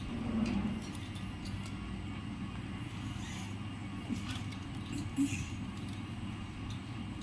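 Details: Steady road traffic hum with faint voices and no animal calls.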